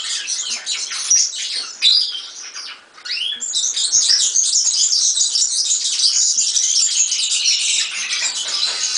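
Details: European serin song: brisk, high, tinkling phrases broken by a short dip, then a sustained rush of scratchy, sizzling twitters that runs on to the end.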